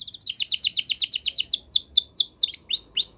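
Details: Canary training song. A rapid run of bright down-slurred chirps, roughly eight per second, slows into a few longer sweeping whistles.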